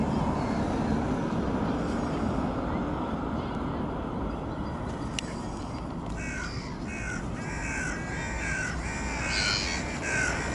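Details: Eurasian oystercatcher: after a quiet start, a burst of shrill, rapidly repeated piping notes begins about two-thirds through, ringing over continuous low rumble.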